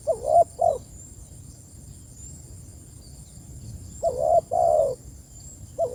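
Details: A spotted dove calls its companions with low, hoarse coos, two phrases of short notes and a drawn-out wavering coo about four seconds apart, the start of a third at the end, over faint hiss.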